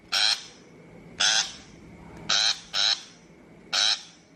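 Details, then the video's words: Shrike lure call for trapping: five grating, buzzy notes, two coming close together near the middle, over a low background hum. "Tiếng chim bách thanh chuẩn mp3 cho loa bẫy"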